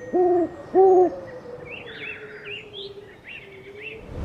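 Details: Owl giving two clear low hoots close together, then falling quiet, while smaller birds chirp in rising and falling notes behind.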